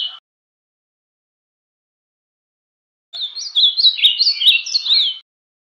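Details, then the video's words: Azulão, the ultramarine grosbeak, singing canto baiano, the Bahia-style song: one brisk two-second phrase of clear, looping whistles that rise and fall quickly, set between stretches of silence. "Azulão- canto baiano"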